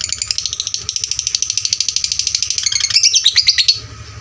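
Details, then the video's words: Loud training lure for fighter lovebirds: a fast shrill pulsing trill that speeds and rises near the end into sharp squeaky notes, then stops, leaving only a faint low hum. "pancingan LB FIGHTER volume suara kerasnya paling gesit ciptakan lovebird fighter juara"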